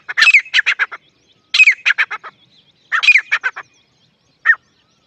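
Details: Partridge known locally as Dakhni teetar calling in three harsh, grating bursts of rapid notes about every one and a half seconds, then a single final note, with near silence between.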